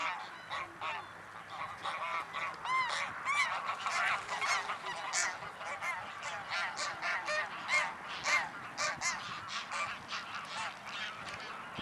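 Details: In Anna Paulowna, Holland, on 9 April 2011, several greylag geese (Anser anser) honk loudly and repeatedly, calling over one another in harsh, nasal, overlapping notes almost twice a second.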